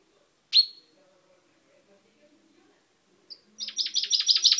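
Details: Pet finch singing indoors in May 2012: one sharp high chirp, a quiet pause, then the start of a fast run of bright repeated descending notes.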